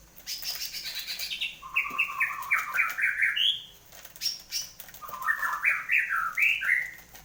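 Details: Caged white-rumped shama, owned as a pet, singing vigorously just after its moult: two bursts of rich warbled phrases, sliding and stepped whistles jumping between low and high notes, with a short silence between bursts and faint room noise.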